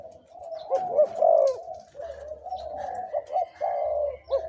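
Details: Spotted dove kept as a two-to-three-year-old caged decoy bird, voices described as big, middle and small, cooing in quick rolling bursts that run into longer wavering notes, with a low hum beneath.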